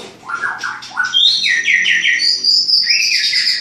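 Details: Bred at a farm in Klaten from a champion line, a captive white-rumped shama gives a few ringing mid-pitched whistles followed by quick, high, sweeping notes over faint background hum.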